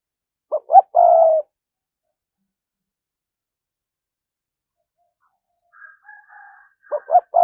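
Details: Lure spotted dove in thúc gù cooing: one phrase of two brief low notes and a longer coo, a long quiet pause with faint murmuring, then the same phrase starting again at the end.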